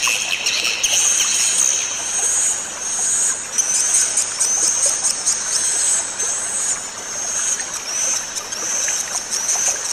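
Swiftlets twitter in thin, very high chirps, about one or two every second, over a steady, watery hiss.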